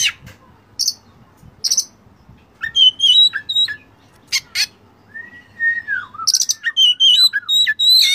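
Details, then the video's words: Kacer master song with rich mimicked fill-ins, Oriental magpie-robin, for training caged birds: spaced harsh buzzes, bright warbles and a long downward whistle, ending in a dense rapid chatter of twittering notes. "masteran Kacer full isian mewah"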